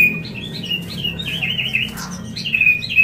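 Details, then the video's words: White-rumped shama mating call, played to bring a bird into breeding condition: clear high whistled notes and short wavering phrases at a steady pitch, with a steady low hum underneath. "Murai Kawin Suara Jernih"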